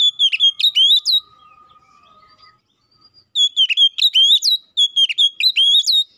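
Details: Oriental magpie-robin singing loud, clear rival-calling song, used to make other magpie-robins sing: quick clusters of kinked whistled notes at the start and again after a short gap, with a faint thin tone during the pause.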